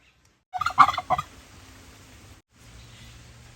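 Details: Turkey giving one short, harsh gobble that breaks into a rapid burst of rattling notes and then falls silent, with faint low background hum.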